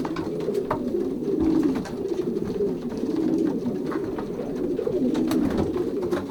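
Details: Young racing pigeons pairing inside their loft in Poland, 2023 season, Pruszków branch: a crowded murmur of deep, rolling coos from many birds at once, steady throughout, with a few faint clicks and wing sounds.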